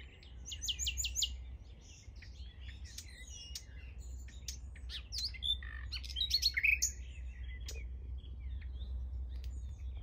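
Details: Wild nightingale heard from a bike path, singing a varied song: fast trilled notes, sharp whistles and scattered chips with irregular pauses, slightly distant, over a constant low rumble.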